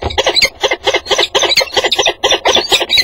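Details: Peregrine falcon pair coming together at a nest box on a water tower at 08:05 on 30 January 2015, just after one falcon left the roof; harsh, harmonic calls repeated about twice per second in a steady, grating series.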